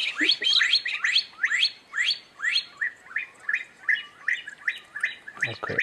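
Stone partridge giving a rapid series of clear, rising whistled notes, about two per second, ending with a brief low thump.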